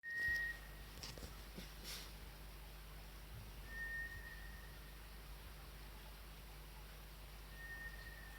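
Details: White's thrush calling at 5 am on 29 March in chilly weather, though it usually calls in the middle of the night in summer, with shorter intervals than usual: three long, thin, level whistles, each about a second, spaced nearly four seconds apart, over low hum.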